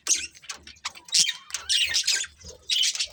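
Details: Budgerigar breeding pair giving separated sharp chirps and short squawky notes, spaced irregularly with quiet gaps between them.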